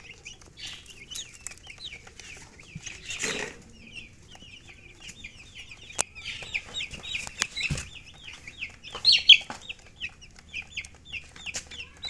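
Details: Chicken chirping from colored chickens and a hen: continuous high, squeaky peeps in a busy overlapping stream, interrupted by a rustle, a couple of sharp knocks, and a louder cluster of cheeps near the end.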